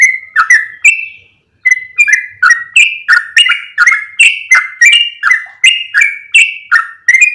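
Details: Yellow-vented bulbul lure sound meant to draw other bulbuls near: bubbly, liquid whistled phrases alternating between higher and lower notes, delivered almost three per second after a brief pause, with a clean, quiet background.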